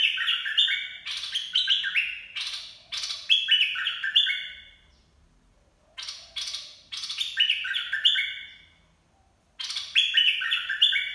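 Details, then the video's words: Caged bulbul singing, used to train young birds and lure wild ones. Its song comes in three bursts of rapid, bubbly, warbled whistled phrases, each lasting several seconds and separated by short silences. There is no other clear sound. "เสียงนกกรงดอกแตง เพลงน่าฝึกหัดลูกนก ล่อนกหัยคัก"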